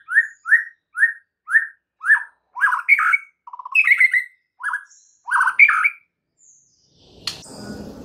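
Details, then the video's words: White-rumped shama singing to provoke other shamas: evenly spaced short whistled notes, then louder, varied, richer phrases with a brief rapid rattle. A sudden noisy bump ends the phrase. "PANCINGAN Murai Batu bikin langsung EMOSI murai manapun saat mendengarnya"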